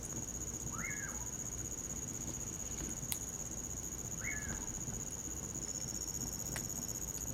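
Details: Common pauraque singing in winter beside a campfire: two slurred whistles, each rising then dropping in an arch, about three seconds apart. A steady high cricket drone runs throughout, with occasional fire crackles and a low rumble.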